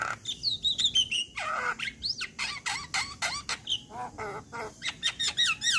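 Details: Male Javan myna singing a provoking lure song for other mynas: fast, continuous mix of looping whistles, harsh scratchy notes and pulsing chatter, loud and rhythmic throughout.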